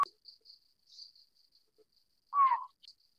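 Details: Collared scops owl, Taiwan endemic subspecies Otus lettia glabripes of lowland broadleaf forest, gives one short, mid-pitched hoot with a slight downward slur, over a steady high buzz of insects.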